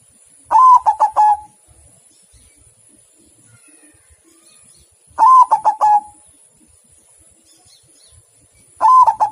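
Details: Three evenly spaced song phrases from a white zebra dove, roughly four seconds apart: a bright lead-in coo, then a fast stuttering cascade of soft coos. The surroundings are quiet apart from a faint high whine.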